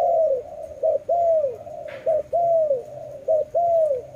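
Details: Loud dove coos in a steady pattern: a short clipped note then a long falling arched coo, repeated about every 1.2 seconds, with a single soft rustle.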